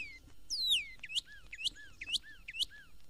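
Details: Northern Cardinal, the red bird of Florida gardens, on a 1969 record: one long sweeping downslurred whistle, then paired phrases, each a sharp upswept note followed by a lower soft slurred whistle, repeated four times.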